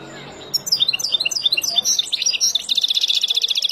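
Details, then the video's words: Wild European goldfinch song intended for tutoring young birds: a stream of quick, high, tinkling twitters and liquid trills that grows denser and faster toward the end, with no other clear sounds. "اروع تغريد طائر الحسون البري لتعليم فراخ"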